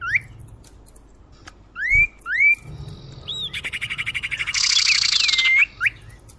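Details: Lure recording of a common iora used to draw birds in: several rising whistled notes hooked at the top, followed by a fast ticking rattle and a long harsh buzzy note with a final upslurred whistle.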